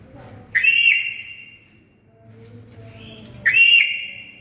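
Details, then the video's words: Very loud calls of a black-capped lory: two harsh, upswept whistled screeches about three seconds apart, each ringing with strong overtones, with low indistinct background noise between them. "SUARA BURUNG NURI KEPALA HITAM KERAS!!!"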